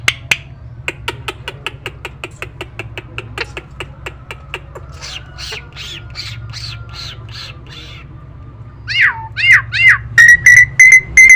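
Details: Tame Nias hill myna kept as master audio to get reluctant birds singing: a long series of sharp dry clicks, then a burst of harsh squawky notes, ending with loud rising and falling whistles in quick succession.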